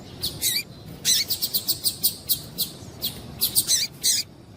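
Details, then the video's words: Female double-collared seedeater calling to stimulate the male: a run of short, high, sharp chirps, about a dozen in under five seconds, some bunched in quick pairs and triplets, over a low steady background hiss. "Piado de Fêmea de Coleiro para Esquentar o Macho"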